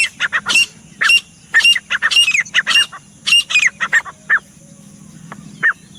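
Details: Grey francolin, or teetar, delivering a loud rhythmic sequence of shrill clipped notes for about four seconds, then slower single notes spaced apart; low hum in the background.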